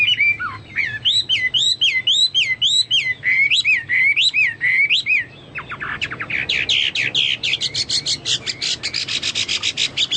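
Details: Chinese hwamei in vigorous song resembling cucak Papua or cucak mas: looping, wavy whistled notes repeated about every half second, then a long fast chattering trill of sharp clicky notes.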